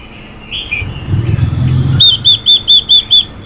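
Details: Female Chinese hwamei calling to stimulate males: a low rumble and a brief high note come first, then six loud, clear, upslurred whistles, repeated steadily about every fifth of a second.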